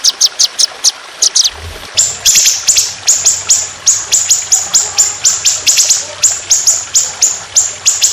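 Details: [['Trotolan in a songbird training recording, rough aggressive shooting style: a few sharp high notes, then a long run of evenly spaced, high, downslurred notes, several each second.']]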